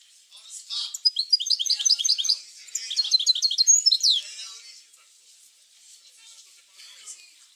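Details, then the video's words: Goldfinch song used to encourage goldfinches to sing, two quick phrases of bright, high twittering and tinkling notes followed by several seconds of quiet with faint sounds. "اروع بتبتة لتحفيز الحسون على التغريد"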